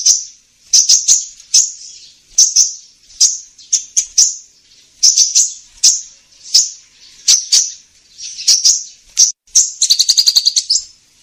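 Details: Kolibri ninja sunbird trapping lure: steady series of sharp high chips, often in pairs, at irregular short intervals, ending with a fast stuttering trill.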